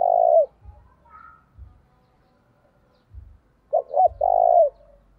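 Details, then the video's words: Spotted dove kept as a decoy bird, calling to lure wild doves: one mellow cooing phrase of two short notes and a long drawn coo, following a clipped earlier coo, with soft low thuds between. "Tiếng chim cu gáy mồi gáy gọi"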